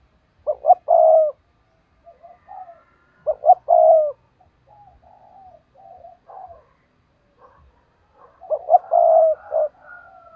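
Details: Decoy spotted dove singing to lure wild rivals: three hoarse phrases of clipped coos ending in a longer note, about four seconds apart, with quiet murmured notes between and a faint higher whistle.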